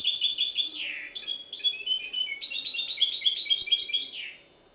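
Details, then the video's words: Goldfinch hybrid song recorded in Ksar el Kebir, Morocco: quick repeated metallic notes, a falling slur, brief pause, then an energetic run of high chirping trills ending in another downward slur; low hum underneath. "mixto jilguero ksar el kebir"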